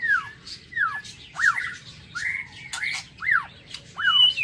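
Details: Aviary-kept white-rumped shama in the morning repeating clear descending whistled swoops, about one every three-quarters of a second, with a few short upward chirps and faint clicks between them.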